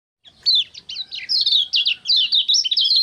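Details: Common iora (kecial kuning) singing in energetic ngejos style, dated 6 December 2024: a rapid run of sharp, twisting chirps and short slurred notes, high and bright, in near-continuous bursts after a brief quiet start.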